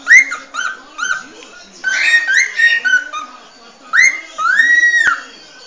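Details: Cockatiel singing the original song: repeated short upslurred whistles, a buzzy dense passage of overlapping notes, then a rising whistle and a long arched tone, heard against a steady low hum.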